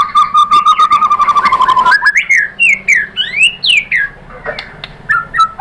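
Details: Murai batu singing, used to stir other birds into a response: a fast even trill on one low pitch for two seconds, then a varied string of sharp upward-slurred whistles and quick chirps.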